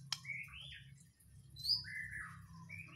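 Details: White-rumped shama of the Borneo/Nias type in a gacoran, gembung style: quiet, smooth whistled notes slurring up and down, one sharp high whistle, over a faint low hum.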